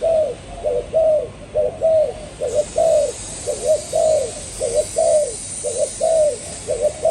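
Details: Spotted dove giving a steady series of soft, mellow coos, short falling notes in repeated phrases, with a faint high hiss in the background.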